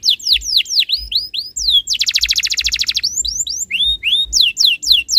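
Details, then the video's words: Canary performing a tutor song that makes other canaries sing along: loud, clear down-slurred whistles repeated rapidly, broken by a dense one-second trill, then more rising and falling whistled notes. "MASTERAN BURUNG KENARI ABAD INI - BIKIN KENARI LAIN IKUT BUNYI"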